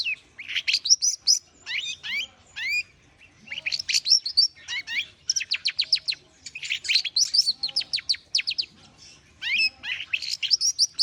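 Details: Long-tailed shrike (cendet) in full warming-up song: a rich, fast, varied stream of high whistles, rattling trills, harsh chatters and sweeping slurred notes, barely pausing.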